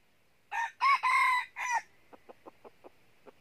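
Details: Junglefowl trapping with a decoy in northern Vietnam: a red junglefowl rooster gives a loud four-part crow, the middle part drawn out, followed by soft, evenly spaced clucks.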